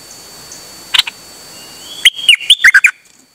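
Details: Dok taeng bird on 8 September 2023, a brief chirp then a swift sequence of six or seven piercing whistles that dip and rise, ending in faint soft notes.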